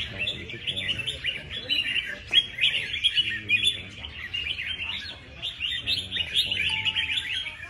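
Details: A red-whiskered bulbul kept as a contest bird, praised for fine performance and an unbroken prize record, delivers a long run of crisp, warbled, high whistles, tumbling quickly, with a brief steady tone near the end.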